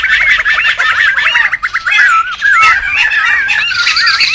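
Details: Laughingthrush vocalizing, used for luring and tutoring birds: fast wavering whistle trills followed by looping swooping whistles amid a steady background of harsh chattering.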